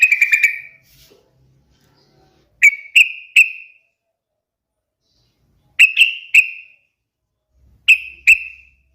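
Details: Sooty-headed bulbul starting with a fast chirping phrase, then giving groups of two or three separate sharp, rising notes spaced a few seconds apart.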